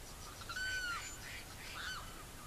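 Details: Savanna hawk recorded in Barinas, Venezuela, giving one clear, level, drawn-out call with rich overtones that drops at the end, followed by a shorter, fainter call against a soft background hiss.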